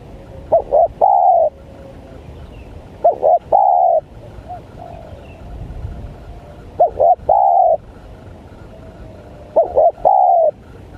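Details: Spotted dove calling to lure wild doves: clear cooing phrases repeated about every three seconds, each two quick hooked notes leading into a long, steady coo, with quiet pauses between phrases.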